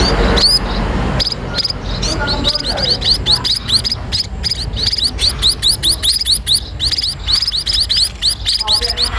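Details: Sparrows at feeding time: thin, upward-sweeping chirps grow denser and more continuous after a scattered start, with a low background hum throughout.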